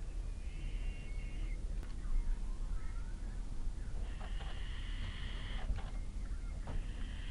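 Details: Little owl fledglings, two fluffy young just out of the nest, begging during an evening feed, Kalmthout, 11 June 2022; rasping hissed screeches, one early and a long loud one later, then another starting, over steady low rumble.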